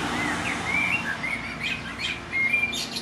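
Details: A male common blackbird sings from a neighbour's roof on a breezy late-spring day in Lower Hutt, New Zealand, with short, mellow fluted phrases ending in high, squeaky twitters over a steady hiss, with a lawnmower heard nearby.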